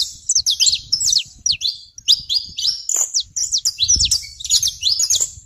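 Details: Saffron finch singing on a rural smallholding in Brazil: rapid, dense run of sharp, high chirps and short sliding notes, delivered in quick bursts with brief pauses. Faint low rumble underneath.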